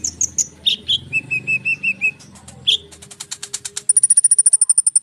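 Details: Konin singing tightly packed phrases meant to provoke sunbirds into responding: high whistles, a series of lower piping notes, then a rapid, even, very high trill of about twenty pulses.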